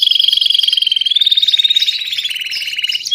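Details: Belgian canary singing while copying a tutor's song: a loud, fast, rolling trill of high pulsed notes, steady in pitch, then rising slightly and breaking into quicker bubbling pulses before a brief whistled end note.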